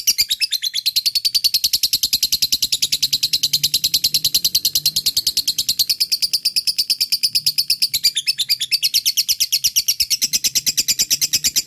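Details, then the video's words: Long, unbroken ngekek from a fighter lovebird, meant to set off lazy lovebirds: a continuous fast, scratchy, high-pitched chatter of dense repeated notes lasting over ten seconds, with a faint low hum underneath. "pancing love bird malas bunyi,lovebird fighter ngekek gacor di jamin nyaut"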